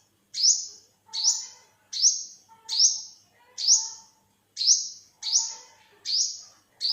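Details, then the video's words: Yellow-bellied or olive-backed sunbird from Thailand, 2021, repeating a high, harsh, upswept buzz roughly every 0.7 seconds, nine calls in a steady series with brief silence between. "เสียงนกกินปลีอกเหลือง Olive-backed sunbird, Yellow-bellied sunbird"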